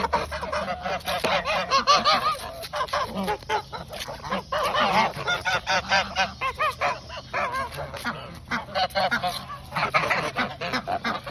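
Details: Domestic geese honking and calling excitedly at snack time before bed, a dense chorus of overlapping nasal honks and chattering notes from several birds, rising and falling continuously throughout.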